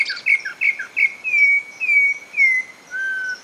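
Campo Troupial song: a few quick bright chirps, then long clear whistled notes that slide and fall, spaced about half a second apart.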